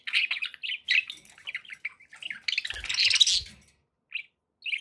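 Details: Pet budgies warble in a run of quick, even chirps, then a louder harsh burst with low knocking before two brief isolated notes.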